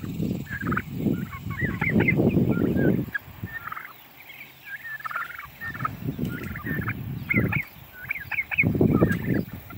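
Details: Young Narragansett turkeys talking in the morning before breakfast: a busy stream of high, thin peeps and short chirps, several birds calling over each other, with bursts of low rumbling, scuffling noise.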